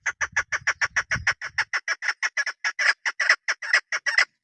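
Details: Female chukar partridge kept by hunters, producing a brisk train of loud, rough clucks about five per second. Low rumbling handling noise sounds underneath during the first half.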